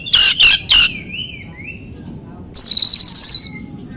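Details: Oriental magpie-robin singing in a recording for training mute birds: three loud raspy notes, a soft rising whistle, then a second of dense, shrill, buzzy chatter.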